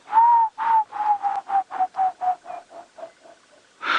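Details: Emerald-spotted wood dove (Turtur chalcospilos) calling at Djuma Game Reserve, South Africa, on a calm sunrise morning, 23 May 2017: about a dozen soft, mournful hoots that speed up, drop slightly in pitch and fade, then a brief burst of noise.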